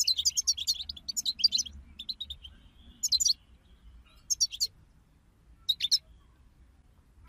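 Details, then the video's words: Group 'bataba' song of European goldfinches used as a singing stimulus: a rapid opening flurry of high, sparkling twitters, then shorter bursts of chirps spaced by silent gaps. "أخرج حسونك من صمته واكتشف التغاريد المخفية لديه.. بتبتة رهيييبة وتحفيز خراااافي"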